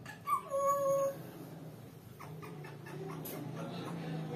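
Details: Pet African grey parrot gives two quick pure whistles, a higher one and then a longer lower one, followed by soft indoor background noise.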